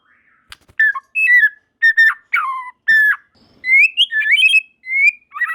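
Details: White-rumped shama (murai batu) producing varied separate whistles and slurred notes, then a wavering rising whistled phrase; other shamas join in singing.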